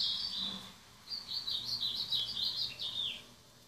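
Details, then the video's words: Ultramarine grosbeak song of the 'rabo torno batendo belga' type, a high warbled whistle with quick wavering, twittering notes held for about two seconds after a brief opening note. "Sibite rabo torno batendo belga"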